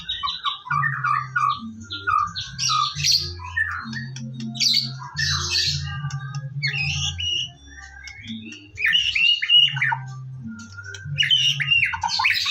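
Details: White-rumped shama in morning song, a lure recording to make birds sing: rapid jumbled whistles and harsh chattering phrases in bursts, a brief lull midway, over a throbbing low hum.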